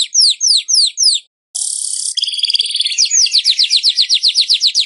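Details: Weaver in song for training caged weavers: four spaced, slurred whistled notes, a short pause, a harsh buzzing sizzle, then a long chattering trill of fast repeated chips.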